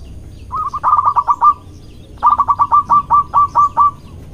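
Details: Courting local male zebra dove, loud-voiced: after a short pause, a tight rattle of clipped coos, then a longer phrase that starts rapid and gradually spaces out into slower, evenly separated notes.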